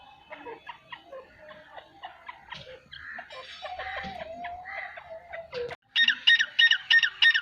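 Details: Francolin (teetar) calling, part of a group of nine birds calling together; mixed harsh notes and a sliding whistle, then a loud run of rasping, evenly spaced bursts in the final seconds.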